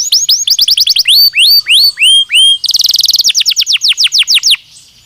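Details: Belgian canary song used for daily stimulation and training: quick chattering notes give way to rising whistled slurs, then a dense buzzy roll and a fast run of repeated descending sweeps before fading.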